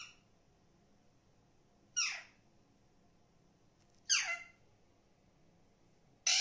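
An Alexandrine parakeet gives three harsh, screeching squawks that slide downward, about two seconds apart, in a quiet room. No clear words can be picked out.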